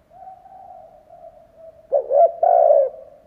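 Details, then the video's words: Spotted dove decoy cooing to lure wild doves; a faint steady hum leads into a loud phrase of short coos and a long sustained coo. "Chim cu gáy kích bổi , Cu gáy kích bổi mở là gáy"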